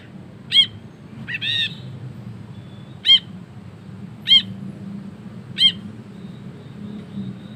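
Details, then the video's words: Ashy bulbul in full voice, recorded as a tutor recording for training songbirds. Short, harsh, harmonic notes come singly every second or so, with a low steady hum underneath. "BURUNG BRINJI KELABU GACOR NGEKEK PANJANG"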